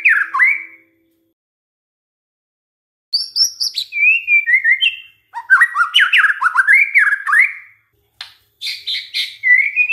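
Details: Lure song of a white-rumped shama for provoking other shamas: varied melodious phrases mixing high sweet whistles, lower slurred notes and quick chattery bursts, delivered in separate bouts with clean silences between them.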